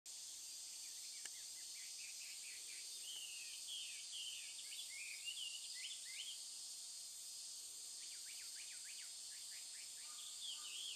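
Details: Chinese hwamei singing loudly in intense summer heat at Tokigawa, Japan, 12 August 2013: a varied run of rich, slurred whistles, then quick repeated up-and-down notes over a steady high insect drone.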